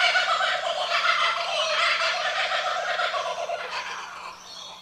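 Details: A laughing kookaburra gives its loud, rollicking laugh: a dense run of rapid, harsh cackling notes that swells, then trails off and fades toward the end.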